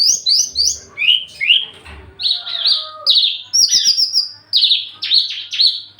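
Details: A Javan bush lark eager to mate, wing-quivering with raised crest, delivers loud high slurred whistles in quick bursts, some rising, some falling, with a short buzzy chatter in between.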